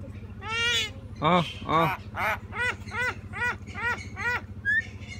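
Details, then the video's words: Common myna kept as a pet, talking with its owner in human-like speech: a series of nasal, harmonic, quacking syllables repeated roughly twice a second, with a steady low hum behind. "শালিক পাখি অভিকল মানুষের মত কথা বলতে পারে ।mynah bird speaks"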